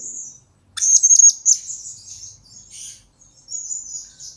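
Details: A blue-crowned hanging parrot in a recording used to lure and train birds gives a sudden loud burst of rapid, piercing chirps, followed by softer high-pitched chattering phrases.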